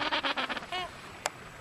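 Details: A Gentoo penguin in an Antarctic colony in the early morning gives a harsh, honking bray of about six quick pulses, then one drawn-out nasal note, followed by a single sharp click.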